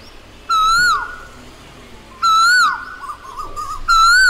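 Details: An Asian koel gives three strong, swooping whistles, each one rising and then falling away, spaced about one and a half seconds apart, with soft wavering notes between them.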